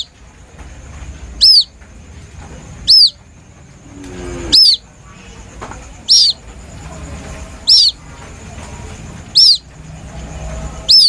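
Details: Plaintive white-breasted waterhen chick call used as a lure: seven thin, high, arched peeps spaced about one and a half seconds apart, with a faint background hum.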